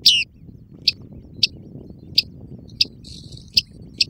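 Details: Recorded 2013–2014 at the Tovačov fishponds, Czech Republic, a great crested grebe with chicks: one loud falling call opens, then regular sharp high peeps about every half second over a low rumbling background.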